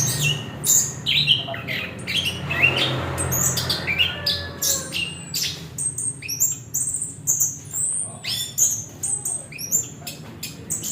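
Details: Orange-headed thrush delivering a fast, varied string of piercing high chirps, clicks and whistled downslurs, nearly continuous throughout, over faint low background hum.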